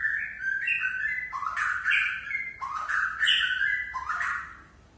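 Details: White-rumped shama of the Aceh type (murai Aceh), singing its learned repertoire (bongkar isian) in a relaxed way: non-stop flowing whistled phrases mixed with sharp, buzzy, falling notes, loud and rapid throughout.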